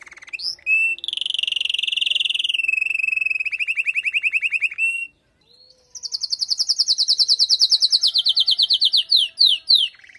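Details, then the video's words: Canary female calling to stimulate the male after the moult, opening with whistled notes and a sustained buzzy roll that steps down in pitch, then after a pause a high rapid trill breaking into sweeping slurs. "نداء انثى الكناري لتجهيز وتحفيز ذكر الكناري بعد غيار الريش"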